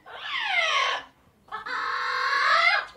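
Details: Ringneck parrot, apparently a pet, calling loudly with two long, grating screeches. The first lasts about a second and falls in pitch; after a short gap a second, steadier screech follows. Nothing else is heard.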